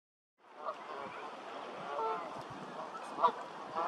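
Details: Canada geese in a flock, a dense continuous mass of overlapping nasal honks and murmurs with a few louder honks breaking through near the end.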